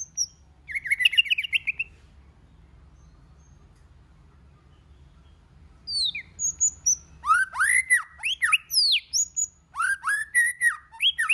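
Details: White-rumped shama in varied song meant to spur shamas to sing: a short harsh rasp, a pause with only low hum, then sharp whistles leading into quick strings of slurred, warbling notes.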